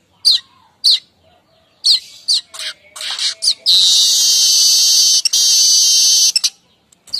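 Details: Streaked weaver kemrecek chatter, used in the morning to lure weavers: several sharp high chips, then a rapid run of notes leading into a long, loud, sizzling buzz held for almost three seconds.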